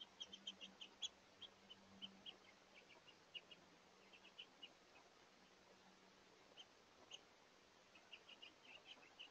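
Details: Hungry house finches, males and females, visiting a seed feeder through the day in early March; short high chirps come in quick irregular bursts and scattered singles throughout, over a faint low steady hum.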